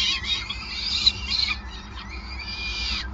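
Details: Peregrine falcon at the nest in Groningen during feeding, May 2020: harsh screechy calls fading into a thinner, drawn-out high whine that slides downward at the end, with low background hum.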